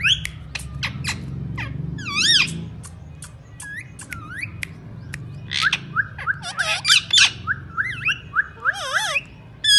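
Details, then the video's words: Parrot giving a mix of sharp clicks, rising whistled notes and harsh squawks, growing busier toward the end with rapid wavering whistles, over a low background rumble. "Best and new style talking parrots"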